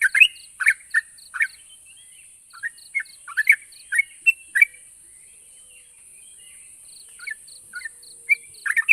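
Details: Yellow-vented bulbul song played to make quiet birds respond: loud bursts of chattering, liquid notes in the first five seconds, then a quieter stretch of thin repeated chips and scattered softer notes, over a constant high hiss.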